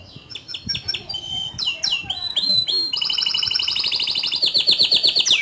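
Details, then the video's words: Canary singing energetically with rolling trills and shooting notes: scattered chirps and falling sweeps give way to a long, fast, rhythmic rolled trill sung at a high pitch. "Kenari Gacor Ngerol Nembak Suara Kicauan nya ISTIMEWA"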